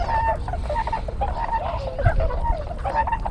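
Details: Wintering flock of tundra swans (Bewick's swans), hundreds visiting Sugo-swamp, Bando, Ibaraki, Japan each year, captured 6 January 2020 on a GoPro HERO7 with pintails nearby: clustered hoarse honks repeating every fraction of a second, wind rumbling underneath.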